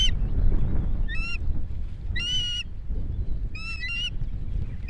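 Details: Osprey calling at a nest in Estonia in 2018: three brief, sharp whistled notes with ringing overtones, spaced about a second apart, set against strong gusty wind noise.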